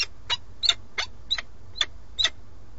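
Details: Peregrine falcon male at the nest of a pair in Alcalá de Henares, Spain, with a starling he brought, calling for the female, who does not come. Seven sharp, rasping notes in under three seconds, fairly evenly spaced, with faint low-pitched hum beneath.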